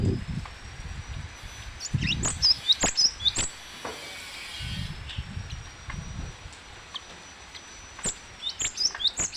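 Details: Lively cinereous tit song: bursts of short, sharp high whistles clustered around the third second and again near the end, with low thudding knocks and a steady faint high tone in the background.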